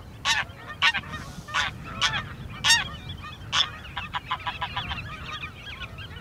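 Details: Greylag goose (nominate subspecies) calling in the Uitkerkse Polder, Belgium, in April: loud, harsh, nasal honks repeated roughly every half second to second, followed by a quicker series of softer cackling notes.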